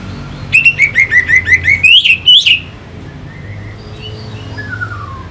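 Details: Orange-headed thrush singing as a stimulus for fighting birds: about ten loud, harsh, evenly spaced notes climbing slightly in pitch, followed by soft whistles and a faint descending trill.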